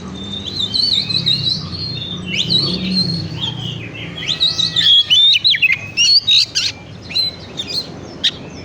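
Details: Oriental magpie-robin song played as a lure to stimulate other birds: a fast, varied run of high whistled and chattering phrases, denser and louder toward the end, with sharp clipped notes over a low hum.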